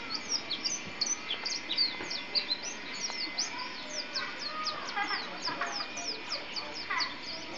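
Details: East Java champion contest white-eye singing a fast stream of high, sharp chirps and quick downslurred notes in an almost continuous twittering phrase, with a constant electrical hum and faint crowd noise beneath.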